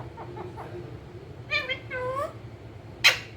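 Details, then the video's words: Rose-ringed parakeet kept as a pet and described as talking: soft clicks, then two drawn-out, speech-like harmonic phrases, ending with a single piercing squawk over low indoor hum. "Parrot sound talking | Parrot bolne wala totha cute"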